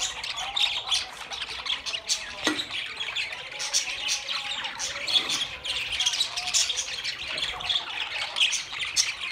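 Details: Many budgerigars chatter at once, a rolling mix of scratchy chirps, squeaks and harsh squawks without pause.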